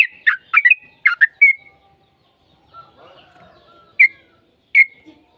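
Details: Yellow-vented bulbul lure song: a fast cluster of bubbly slurred whistles, then a pause with faint background chatter, then two single clear whistled notes spaced apart.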